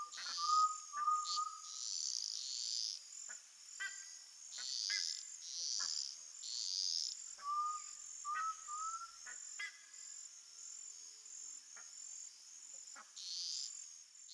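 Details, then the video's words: An undulated tinamou (Crypturellus undulatus), tagged with sunset and farm life, gives two short runs of three mellow, hollow whistles, a few seconds apart, over a steady high buzz of insects and scattered clicks. "CANTO do JAÓ (CRYPTURELLUS UNDULATUS), UNDULATED TINAMOU"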